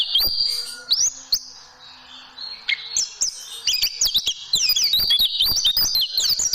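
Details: Caged-bird tutoring song of a white-eye: a few long high whistled notes with pauses, building into quick, tumbling twitters of rising and falling chirps.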